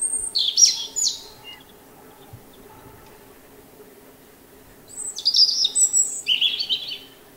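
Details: European robin song: high, tinkling phrases of thin whistles and trills, one phrase at the start, a pause, then a longer descending jingling phrase.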